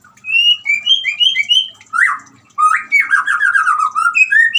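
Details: Loud white-rumped shama song for prompting a mute shama to sing: a string of fluting whistles, then swooping slurred notes and a rapid tumbling warble that drops in pitch before rising whistles return.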